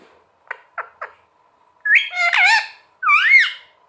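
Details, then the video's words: Pet talking green parrot indoors: three short clicks, then long, wavering, whistled-and-voiced phrases with bending pitch contours, and a second sliding phrase after a brief gap. "Parrot Sound Talking Parrot Bolne wala totha calling"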